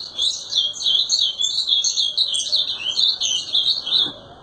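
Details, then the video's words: Ultramarine grosbeak delivering a steady stream of bright, jumbled warbling notes, quick and unbroken, fading at the very end. "Azulão TERRORISTA Destruindo"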